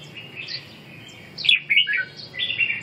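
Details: Red-whiskered bulbul giving a short burst of lively warbled song, a few rich slurred notes, then a bubbly falling phrase and a final warble, with faint low background noise.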